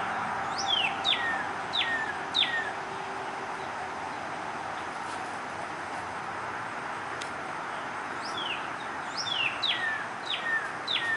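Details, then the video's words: Cardinal calling in short runs of three or four loud downslurred whistles near the start and again near the end, with a quiet stretch of faint background noise between. "sounds of cardinal"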